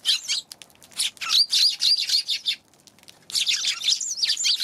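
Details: Eurasian tree sparrows on 11 January, chattering in fast, overlapping high chirps, with a short lull midway before another burst of busy twittering.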